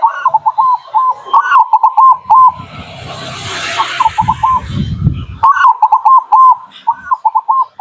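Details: Local zebra dove song meant to lure wild birds: repeated phrases of clipped stuttering notes and longer coos, broken midway by a loud burst of hissing, rumbling noise.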